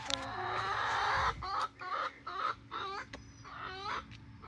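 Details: A 19-week-old chicken flock of Barred Rock and Gold Star birds near Iola, Grimes County, Texas. One long raspy harmonic call opens, then a run of short, nasal, rising clucks repeated roughly twice a second.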